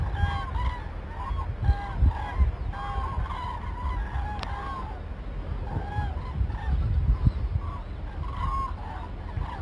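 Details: Group of cranes calling at Arnedo, 2 November 2017, seen as a genuine warning of a weather change: loud rolling, bugling trumpet notes from several birds, often overlapping in irregular bursts, with a constant deep rumbling background.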